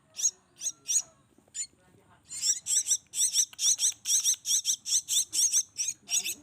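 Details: A few scattered shrill squeals from hand-raised black-winged myna chicks give way to a steady, urgent run of harsh begging calls, roughly two to three per second.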